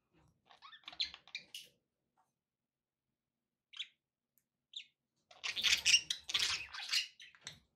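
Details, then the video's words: Budgies indoors chattering: scattered brief chirps early, a quiet gap with two lone tweets, then a loud run of harsh overlapping squawks and chirps near the end. "budgie sounds with background noise for relaxation"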